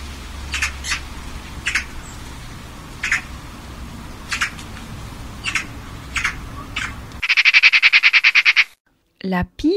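Eurasian Magpie giving harsh, scratchy single chacks every second or so, then a fast dry rattling chatter; a man's voice speaks briefly at the end.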